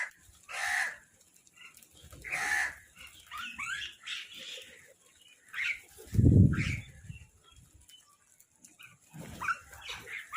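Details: Crows fighting over food give harsh, rasping caws in separate bursts a second or two apart, with chattering mynah calls and a low thump mixed in.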